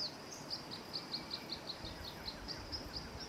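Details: Male Barred Antshrike singing: a long run of evenly spaced short high notes, about four per second, steady in pitch and loudness, above a constant faint high tone and low background rumble.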